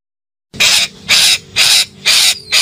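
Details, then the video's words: Calling parakeet: five rapid, loud, rasping screeches in a steady rhythm, each harsh and noisy, with only brief gaps between them. "KICAU BETET MEMANGGIL"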